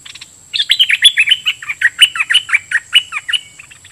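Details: Red-whiskered bulbul decoy singing at wild birds: a continuous, fast, cheerful warble of bright, slurred, liquid notes lasting about three seconds.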